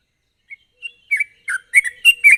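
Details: Sooty-headed bulbul song in a sharp trilling style, recorded as a lure to make other bulbuls sing. A few isolated whistled notes build quickly into louder, bubbling, slurred phrases.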